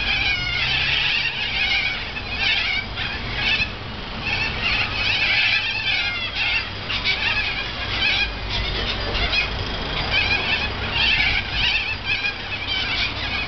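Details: Corellas in a large flock eating from a Norfolk Pine beside an apartment balcony. Raucous screeches pile over one another in surging bursts, with steady low background hum.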